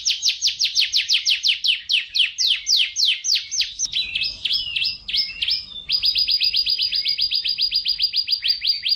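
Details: Atlantic canary, Serinus canaria, kept as a songbird in Indonesia, singing a training song: fast trills of repeated downslurred notes, about two per second, shifting into a buzzy jumbled phrase, then a quicker, steadier trill.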